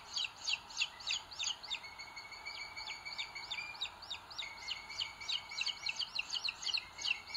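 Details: Booted eagle chicks in a nest in Sierra de Guadarrama, Spain, in 2022, on a live camera while the older chick pecks the younger. Thin, high cheeps come rapidly, several each second, over a steady high whine and faint background hiss.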